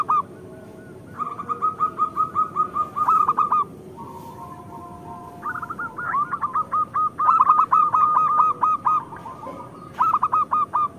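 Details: Local zebra dove song, used as a master recording for birds that are molting or slow to sing. Repeated rolling series of rapid, ringing coo notes fill the clip, with brief pauses between runs.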